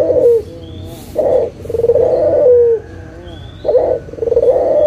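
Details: Rolling low coos from a local Barbary dove used to lure lazy doves into calling again: a short opening note, then a sustained purring phrase falling at its close, twice in a row. Faint whistles are heard.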